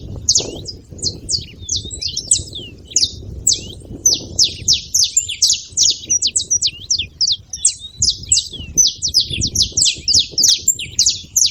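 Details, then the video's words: {'text': 'Saffron finches calling together: a long, busy sequence of sharp, high chirps in quick clusters, several birds overlapping, with low rumbling noise in the background.'} "canários da terra fazendo barulho"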